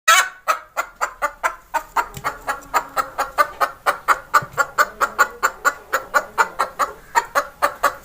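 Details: Chicken hen giving a long run of short, evenly spaced, sharp clucks, about four per second without pause, with faint low background sounds.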